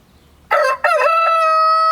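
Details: Rooster in a village yard starts its crow with two short broken syllables, then swells into a steady, strongly harmonic held note against a quiet background.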